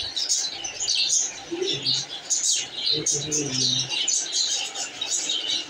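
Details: Baby pet budgerigars, described as happy, chirping steadily: dense, bright, high twittering and warbling chirps throughout, with short low murmurs in the background.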